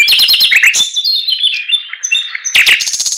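Chinese Hwamei in loud, varied song: a burst of rapid chattering notes, then clear, drawn-out whistles, and another fast, rich phrase at the end.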